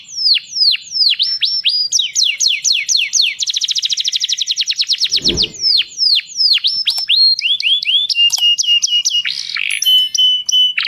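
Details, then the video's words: Singing canary in a mating context, with repeated high downslurred whistles, then a rapid rolling trill of close-packed notes, more sweeps and buzzy, warbling phrases, a brief low thump in the middle. "canary singing"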